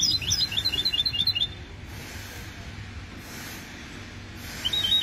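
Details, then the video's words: Goldfinch mule hybrid song opening with a rapid, tinkling burst of high, twittered notes lasting over a second. A pause filled with low hum and surges of hiss follows, then a short twitter resumes at the end. "هجين حسون لغة الله يبارك 2020"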